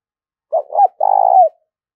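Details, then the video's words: Single spotted dove coo used for training decoy birds, in gáy thúc and gáy gọi style: a soft doubled opening note, then a sustained rough, vibrating low note that dips at its close. No background noise is heard. "tiếng chim cu gáy thúc và gáy gọi dùng kích bổi tập mổi rất hiệu quả"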